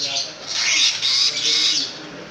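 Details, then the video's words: Pentet raja, or long-tailed shrike, a long-tailed, strongly voiced bird in lively gacor form, pouring out a continuous run of grating, buzzy, high screechy notes that swell and dip across two seconds with barely a break. "BURUNG PENTET RAJA SUPER GACOR"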